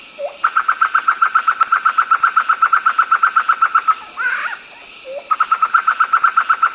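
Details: Black-throated laughingthrush singing a fast run of clear, even whistled notes, about four per second, broken by a brief slurred phrase and a low rising note before the rapid series resumes; steady high hum in the background.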